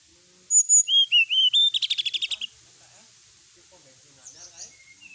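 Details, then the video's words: Sooty-headed bulbul in full varied song, used as a night-time training recording for birds: sharp whistled notes sliding up and down, then a fast buzzy trill of about ten pulses, followed by faint scattered chirps. "srdc gacor full isian ,masteran srdc malam hari dan terapi srdc"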